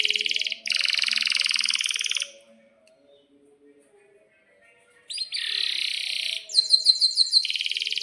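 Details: A lively canary sings a lure song to set other canaries singing. Dense buzzy rolls sound, pause for nearly three seconds, then return with a harsh roll and a sharp, crisp, rapidly repeated trill.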